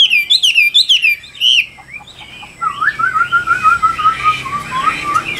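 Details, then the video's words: A traded Chinese hwamei ('Tam Hoàng' type) giving rapid falling whistles, then a steady series of lower, evenly spaced slurred notes over background noise. "Họa Mi Tam Hoàng Miệng Mỏ Như Máy Khâu, Điện Đóm Căng Hót Hét Bài Bản"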